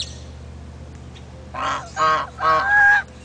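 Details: Geese at Big Cypress giving loud, harsh honks: four short nasal blasts in quick succession after a quiet start, the last two longer and run together, with a low steady hum underneath.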